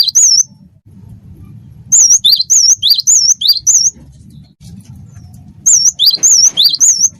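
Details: Cinereous tit, wingko song style, singing eagerly: ringing high whistles with a looping, undulating shape, paired high and low in quick succession, repeated in separate bursts across several seconds, faint low noise beneath.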